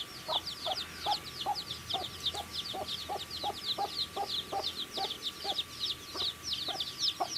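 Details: Many baby chickens chirping as they eat, a continuous busy stream of shrill descending peeps, with rhythmic pecking taps roughly twice a second.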